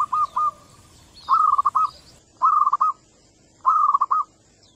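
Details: Local zebra doves exchanging calls to draw other doves into calling; several rolling coo phrases, each a held note followed by quick stutters, with faint high bird chirps in the background.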